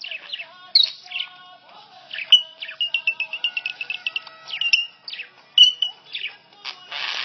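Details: Pet budgie chirping along to the Hindi song Munni Badnaam Hui playing on a phone. Rapid high chirps, warbles and electronic-sounding notes are layered over the music, ending in a buzzy burst.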